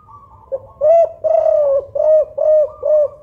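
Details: A spotted dove of the Songgo Ratu type, described as a loud-voiced, five-note (kuk 5) caller used as a lure for other doves, gives a series of about six deep, mellow coos, the second note drawn out.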